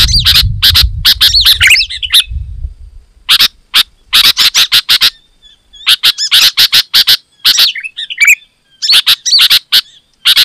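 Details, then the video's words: Sooty-headed bulbul singing loudly and densely, a lure call for wild birds: runs of sharp, harsh notes broken by pauses, with short wavering whistles at the start and near the end; faint rumble early on. "Suara Burung KUTILANG GACOR Suara Asli Rapat dan Lantang"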